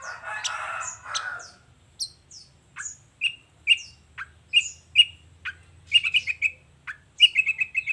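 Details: A long-tailed shrike's morning 'gacor' song, displaying its repertoire: opens with two harsh, buzzy rasps, then spaced, sharp high whistles and chips, ending in a quick series of repeated bright notes.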